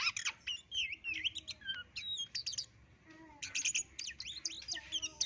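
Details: Oriental magpie-robin of the white-legged kind, from West Sumatra, delivers bursts of fast, high twittering and sharp chirps. A brief quieter gap separates two dense phrases, with a faint low hum in the background.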